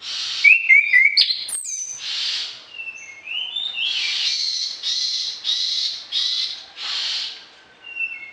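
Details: Orange-headed thrush in full song with varied fill-in phrases, a tutor song for other birds in morning and evening: sharp rising whistles and clicks, then a string of about six rich, buzzy bursts roughly every half second.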